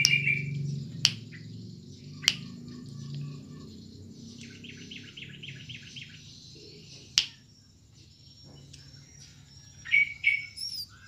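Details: Brown-throated sunbird, a kept bird from Subang, sings in high, thin chirps and a quick run of sweet twittering notes, broken by sharp clicks over a low background hum.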